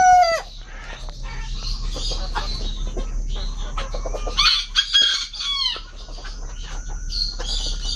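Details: Imported Brahma bantam chickens in a pet aviary in Malaysia: an opening falling squawk, then scattered clucks and short rising calls, a cluster of loud mixed bird calls around the middle, steady hum throughout.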